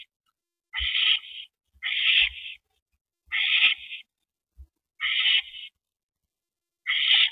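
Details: Owl at the nest during a rabbit delivery to its mate, 8:15 PM, 19 April 2012. Hoarse hissing shrieks repeat about every second and a half, five in all. A few dull taps sound underneath.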